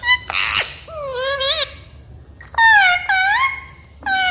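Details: Pet Indian ring-necked parakeet talking while eating a red tomato indoors; harmonic, squeaky, speech-like mimicked phrases with gliding rising and falling pitch, in several bursts separated by short pauses.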